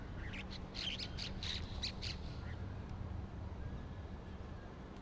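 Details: Bank myna in Gurugram, India: a burst of harsh, squawky, rasping calls in quick succession during the first two seconds, then quieter background with a low steady hum.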